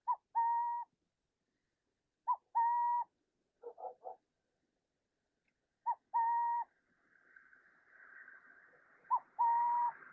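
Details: Western Burrowing Owl, likely a male giving the territorial coo-coo call: a soft, mellow two-part coo-cooo, short then longer, about every three seconds, followed by a brief trilled phrase and rising breezy noise; desert burrow-dweller near Las Vegas, Nevada.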